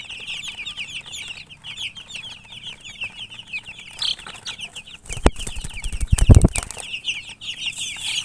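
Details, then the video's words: Coloured chickens keep up a run of high, quick chirps, then loud knocking and rumbling handling noise drowns them for about two seconds before the peeping returns. "silly chicken chirping sounds with murgi hen color chicken"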